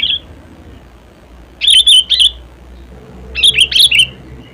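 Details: Natural voice of a sooty-headed bulbul: two loud bubbly phrases of three or four liquid whistled notes, about two seconds apart, after a brief opening whistle; otherwise quiet.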